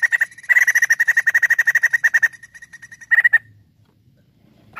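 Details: Energetic white-crested laughingthrush song used as a lure. A long burst of rapid, evenly spaced harsh pulses is followed by a softer trailing series and then a short, loud rattling burst before quiet.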